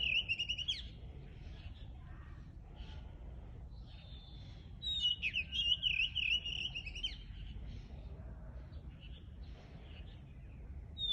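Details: Wild birds singing in the countryside, a clear whistled warbling phrase with rapid trills around the middle, shorter chirps before and after, low rumbling background noise.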